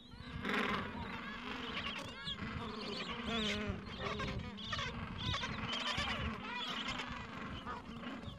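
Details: Gentoo penguins in their Falkland Islands breeding colony, mild afternoon, parents tending nests and chicks two to three weeks old; many birds call at once, a steady wall of nasal, wavering harmonic calls with sharp clicks throughout.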